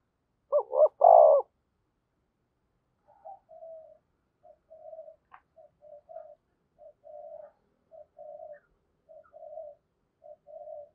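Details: Spotted dove kept as a decoy, calling to attract wild doves in a 'thổ sấm' style voice: one loud three-part coo phrase, then a long even series of soft, short, low coos repeated about every half second.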